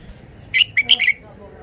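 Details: Red-whiskered bulbul singing a brief phrase of about five quick, bright whistled notes that rise and fall, the last ones running together into a bubbly ending, over quiet background.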